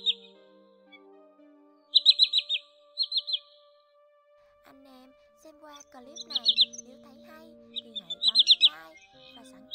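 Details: Common greenshank lure recording for attracting birds to nets: loud, ringing bursts of three to five quick descending notes, repeated every second or two, over steady background music.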